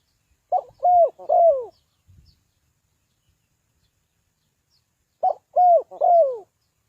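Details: Spotted dove from Ninh Thuận, its call used as a lure for trapping birds: two loud three-note cooing phrases, a short note then two longer falling coos, separated by about four seconds of silence.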